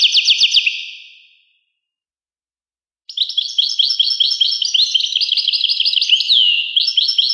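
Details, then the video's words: European goldfinch song: a brief rapid twittering burst that fades in an echoing tail, a pause of silence, then a long run of fast, liquid, tinkling trills and chirps. "Carduelis carduelis. song Carduelis carduelis pure"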